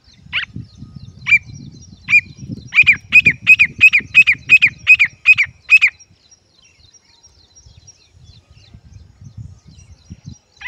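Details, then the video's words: Baby partridge chick calling: loud, high piping notes, a few spaced ones then a fast regular series of about nine repeated peeps, with low rustling and handling noise beneath. "Sweet voice of baby pheasant || teetar ke bache ki pyari aavaz"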